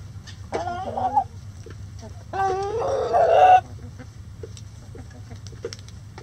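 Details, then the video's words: Backyard rooster crowing in light rain in the coop: a short broken opening note, then a long harmonic crow of about 1.3 seconds, rising into a strained held end, against a steady hiss of rain. "Rooster Crowing In The Rain"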